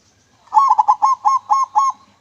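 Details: Local zebra dove singing its clear manggung song, used as a lure: one phrase of about seven cooing notes, opening with quick short notes, then looping, throaty coos repeated evenly; quiet background.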